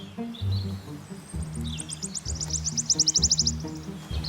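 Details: Wood warbler (Phylloscopus sibilatrix) in British woodland in breeding season, lured towards a net for ringing by a recording of another wood warbler: thin high notes quickening into a shivering, accelerating trill over about two seconds, over low background music.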